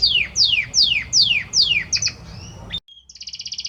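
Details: Male Belgian canary singing intensely to his female; steady series of loud descending whistled sweeps, about two and a half per second, then a brief gap and a soft fast trill.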